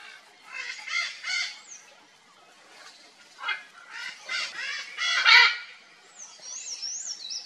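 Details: Red-and-green (green-winged) macaw at its nest during the breeding season gives harsh, raspy squawks, singly and in short uneven bursts; thin high whistles from other birds near the end.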